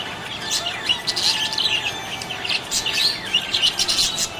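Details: Happy budgie chirping: continuous high, twittering chirps and short whistled notes in quick, irregular bursts over a steady hiss of background noise.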